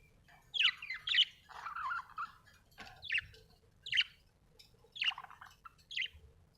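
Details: Budgerigar chirping: a series of short, sharp descending chirps and a brief warbled chatter, spaced roughly a second apart over a quiet low hum.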